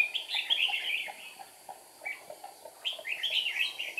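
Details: Decoy red-whiskered bulbul in a trap on 8 April 2019, wing-flicking and tail-flicking as it sings to provoke wild birds: dense, rich warbling of rapid up-and-down notes, a pause, then another lively phrase, with soft ticking underneath.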